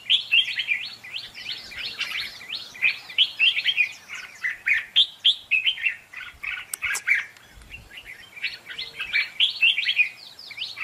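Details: Red-whiskered bulbul decoy song in contest style: long, fast series of sharp, downward-slurred chirps repeated in energetic bursts, broken by a short quieter stretch and a single click near the middle.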